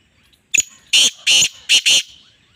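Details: Female black francolin, recorded 24 August 2023. A soft click opens a grating phrase of four harsh, buzzy notes: two separate notes, then a rapid double. A steady thin whistle-like tone runs beneath.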